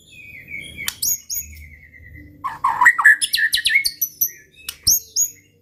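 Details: White-rumped shama singing to provoke rivals: drawn-out thin whistles, then a burst of varied chattering and slurred notes, with scattered high sharp chips and faint low background rumble.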